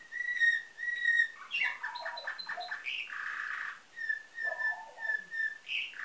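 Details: Nightingale-style canary song, bred in Varna, Bulgaria, recorded 2013. Sustained flute-like whistles give way to quick descending staccato notes and a rich burbling trill, then more level whistles and a short rising flourish.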